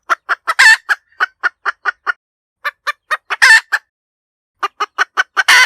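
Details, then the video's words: A hen chicken's cackle comes in three rhythmic runs of short, evenly spaced clucks. Each run holds a loud, prolonged, grating squawk, with brief pauses between the runs. Quiet surroundings. "เสียงไก่แม่กะต๋าก เสียงชัดสำลับต่อ suab poj qaib tsauj"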